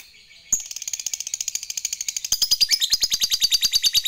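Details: Fighter lovebird in its prized ngekek panjang, a long chatter meant to provoke rivals: after half a second of quiet, a shrill, rapid pulsed rattle of about seven notes per second runs unbroken to the end, dipping slightly in pitch partway.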